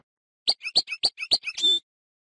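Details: Canary singing a short phrase: a quick series of seven sharp, clipped chirps alternating high and lower, ending in a brief buzzy, sustained note.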